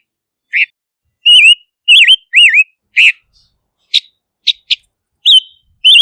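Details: Whistled song of the silver-eared mesia: looping, wavering notes and downward-dipping slurs, interspersed with several sharp high ticks, then two short rising whistles to close.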